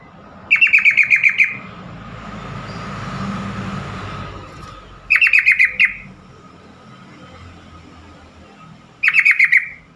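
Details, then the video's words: Yellow-vented bulbul call, used to prompt other bulbuls to respond: loud rapid bursts of about eight bubbling, stuttering notes near one pitch, each burst about one second long, repeated three times with quiet gaps between. "trucukan call AMPUH atasi burung trucukan bakalan.macet.stress langsung Nyamber bunyi."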